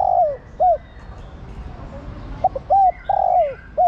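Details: Female spotted dove calling the male all day. Mellow coos come in quick bursts: a drawn-out falling note, a short hook, then a rapid run of brief and longer coos, with faint whistles from other birds.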